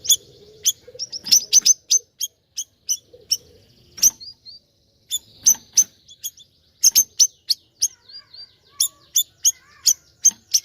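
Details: Singing siri-siri bird giving irregular clusters of sharp, high chirps and thin whistles, with a low murmuring background noise in places.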